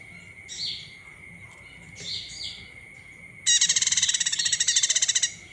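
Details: Olive-backed tailorbird from Palembang, a call used to provoke other birds into singing: two faint high chirps, then a loud, rapid, buzzy rattle of high notes lasting about two seconds, over a steady high whine.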